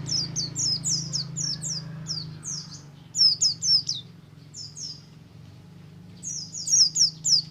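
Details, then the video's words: Ngalas-style song of a buxtomi oriental white-eye, meant to get other white-eyes singing: bursts of four to six high, falling whistled notes, separated by short pauses, over a faint low hum. "BUXTO NGALAS, untuk merangsang pleci ombyokan agar cepat ngriwik"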